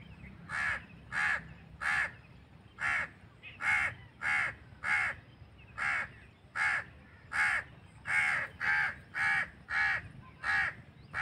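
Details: Crow recorded naturally outdoors, giving a long series of harsh, raspy caws, each short and broadband, repeated about every half second to second with brief pauses, some in quick pairs; faint low background hum throughout.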